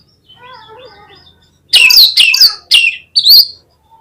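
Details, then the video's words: Oriental magpie-robin song used as a lure to trigger singing: soft warbled notes, then four loud, harsh, buzzy bursts of high whistles separated by brief gaps. "KACER LANGSUNG PECAH SUARA MENDENGAR PANCINGAN INI !!! KACER LOYO PASTI IKUT GACOR"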